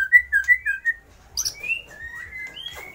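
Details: White-rumped shama song imitating lovebird, kapas tembak and pijantung gunung: a quick run of short clear whistled notes, a brief harsh burst, then longer level and slightly rising whistles.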